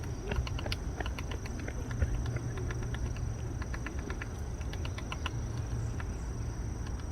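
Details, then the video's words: A woodpecker drilling a hole in a tree in a park while hunting for insect larvae: sharp dry taps come in irregular bursts over a steady low rumble of background noise. "딱다구리 구멍 뚫기"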